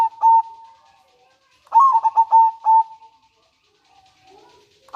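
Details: Local zebra dove manggung and nretek song, used as a lure and to stir breeding condition; a short coo, then one full phrase of clipped, bubbling notes sliding into sustained tones, faint cooing afterward.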